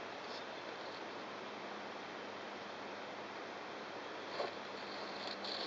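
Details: A nesting Japanese tit mother, angry at an observer looking into her tube-shaped nest site, gives a snake-like hissing threat call, a harsh rushing noise held throughout, with a couple of brief sharper bursts near the end.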